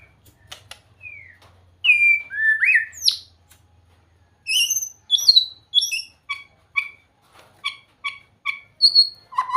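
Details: White-rumped shama song opening with a few soft whistles and sweeping slurs. It moves into bright chirped notes, then a string of crisp, evenly repeated short notes near the end.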